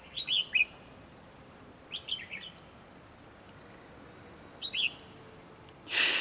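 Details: Red-whiskered bulbul decoy in a trap, 12 December 2020, singing to draw in wild rival birds: three brief, lively warbled phrases spaced a couple of seconds apart, an insect drone throughout, then a sudden loud rustle at the end.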